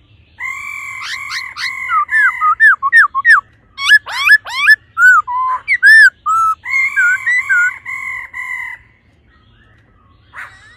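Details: A female laughingthrush calls to stir up the male in the 'ro ro' style: long steady whistled notes mixed with quick hooked and looping chirps, rapidly repeated, then a short pause and a faint final note.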